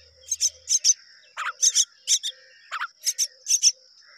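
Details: Two mynas rearing babies together. Scratchy chirps come in tight doubles and triples, with a few lower rasping notes mixed in, over a constant thin high-pitched whine.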